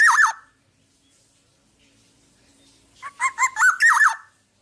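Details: Black-naped oriole singing for tutoring other birds: a short looping fluty phrase, a pause, then a longer string of bouncing whistled notes with a buzzy edge.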